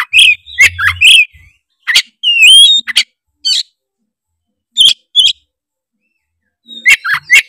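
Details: Magpie-robin from Tretes singing vigorously to draw rival males into song. Rapid chirped notes at first, then a bright upward-sliding whistle, isolated sharp calls, a long pause, and a final cluster of quick notes.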